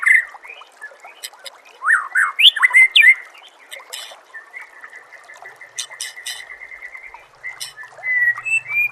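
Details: White-rumped shama singing on a masteran training track: fast rising and falling whistled phrases, then a long steady series of thin notes, over a steady faint hiss.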